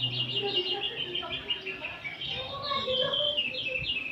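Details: Oriental magpie-robins, many birds singing together in the afternoon as training material: a dense, overlapping chorus of bright whistled phrases, trills and chirps, with quick up-and-down notes running almost without pause and a low hum beneath.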